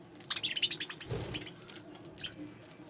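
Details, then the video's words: Spangle budgerigars giving a quick run of high, sharp chirps that fades into rustling and a single later chirp. "طيور البادجي اسبانجل كلهم"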